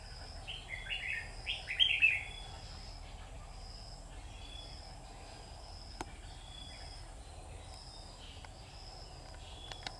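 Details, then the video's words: Red-whiskered bulbul at a trapping site, 12 August 2019: one quick, jumbled run of bright whistled notes early on, then only thin distant chirps, a single sharp click and steady background hiss. "Bẫy chào mào Má trắng đá quá khôn"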